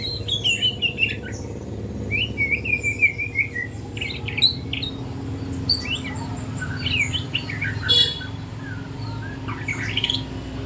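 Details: Young spotted white-rumped shama (murai batu trotol) practicing its song in the morning: scattered whistled notes and short warbled fragments at varied pitches, broken and unsteady, over a constant low hum.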